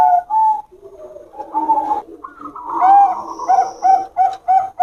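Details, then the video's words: Duelling Bangkok zebra doves from a champion line, henging style. Two-part coos open, then softer mixed notes, ending in a quick series of bright cooing notes. "Suara Henging Perkutut Trah Juara || Anggungan perkutut Bangkok Gacor"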